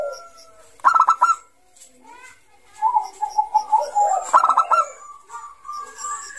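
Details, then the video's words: Zebra dove of the Bangkok type singing actively, offered as a lure for young birds: bursts of clipped, bright coo notes alternate with a lower, wavering rolled coo, the phrase repeated twice. "Suara Burung Perkutut Bangkok Gacor Kutut bangkok Gacor Ngayer ini cocok Untuk Pancingan Kutut MUDA"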